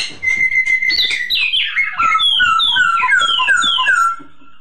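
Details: Masked laughingthrush singing as a training recording for other birds. After a steady whistled note comes a bright series of clear whistles, each sliding downward and repeated in quick succession before the song stops abruptly.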